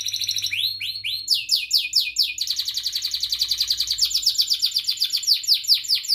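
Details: Long canary song used to stimulate and teach young canaries: begins with high rising whistled notes, then slower swooping phrases, then a dense fast trill of rapid repeated chirps filling the rest, loud and continuous.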